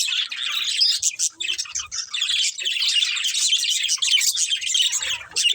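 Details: Budgerigars warbling nonstop, a thick stream of high trilled chirps and buzzy chatter from several birds, nearly uninterrupted through the whole stretch.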